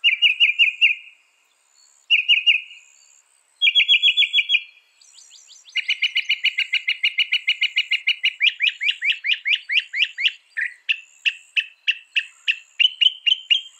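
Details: Long bout of Northern mockingbird song: repeated chirped phrases give way to a fast, steady stream of clipped notes that speeds into a rapid repeated ticking series, all loud and clear.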